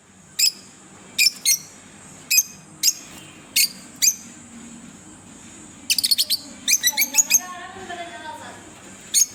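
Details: Single sharp, high chirps spaced a second or so apart from a green pair of pet Fischer's lovebirds, then a quick stuttering cluster of chirps, over a quiet background with faint low murmur.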